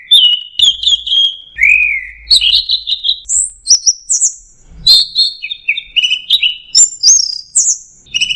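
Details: Orange-headed thrush 'teler' song (anis merah): repeated whistled notes, a lower slurred phrase, then rising and falling high whistles and chirps in quick succession.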